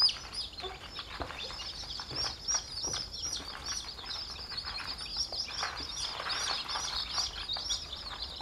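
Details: A flock of chicks peeping together: dense, overlapping high thin cheeps that blur into a continuous chatter, with scattered louder notes throughout.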